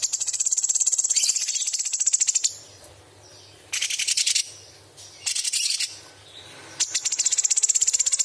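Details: Straw-headed bulbul training recording, said to mix in imitations of small birds, big birds and insects: long runs of shrill, rapidly pulsed rattling trills, broken by short pauses, with a low hum in the background.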